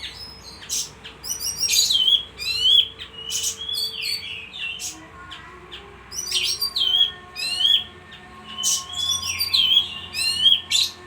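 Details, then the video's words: Constantly singing bayeman gives lively high bursts of squeaky chirps, downslurred whistles and buzzy trills, with phrases repeated in clusters every second or two. "suara burung bayeman gacor"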